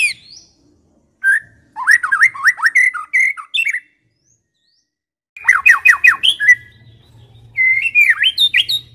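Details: Medan-type white-rumped shama singing a clean, full lure song meant to provoke other shamas: bursts of quick slurred whistles and sharp chirps separated by short silences, with a faint low hum late on.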